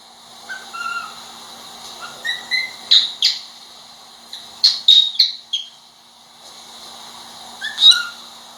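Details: Pet cockatiel giving short rising whistled chirps, some in quick clusters of three or four, separated by pauses, over a steady high hiss.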